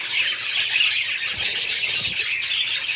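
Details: Pet budgerigars in a group, a dense stream of high warbling chirps and squeaky twitters overlapping continuously without pause.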